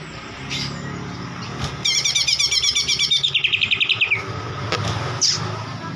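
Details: Oriental magpie-robin song played to provoke a reluctant bird into singing: a fast, rhythmic burst of high chirped notes lasting about two seconds, then falling into a short descending trill, with scattered sharp calls and constant vehicle noise underneath.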